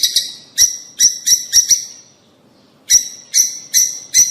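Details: Rosy-faced and Fischer's lovebirds, a sound meant to stimulate mating. Loud, shrill, piercing chirps come in quick clusters, then a pause of under a second, then four more sharp, evenly spaced calls. The background is otherwise quiet.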